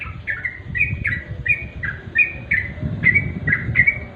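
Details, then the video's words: At twilight, a sooty-headed bulbul gives a steady string of clear, slurred whistles, paired rising-falling notes repeated roughly every third of a second, over soft low background rumble. "remang² trucuk.suara asli.."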